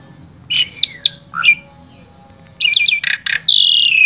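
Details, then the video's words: Asian pied starling from Wonosobo, Central Java, Indonesia, singing a varied full-repertoire song used to tutor other starlings: harsh squeaky notes and whistled slurs in two bursts separated by a pause, ending in a long buzzy rasp. "Jalak SUREN SUPER GACOR Full Isian Sangat Ampuh Dijadikan Guru Vokal Jalak Trotol"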